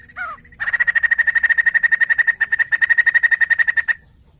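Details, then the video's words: Song of a white-crested laughingthrush, meant to prompt other birds into song: a short nasal call, then a steady, fast series of about thirty-five harsh, clipped chattering notes, evenly spaced, lasting some three seconds. "Burung poksay Jambul gacor"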